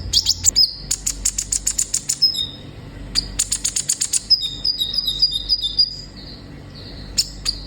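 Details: Olive-backed sunbird in full, lively song for stimulating young captive birds: repeated bursts of rapid high clicking ticks broken by short thin whistles, then a stretch of warbling high whistled notes and scattered ticks; low background hum.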